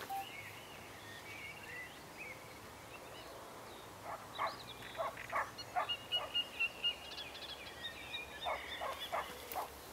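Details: Great reed warbler at East Chevington, Northumberland, 2021, giving loud, harsh, croaking notes in quick rhythmic bursts from about the midpoint, over fainter thin songs of other birds and a steady background hiss.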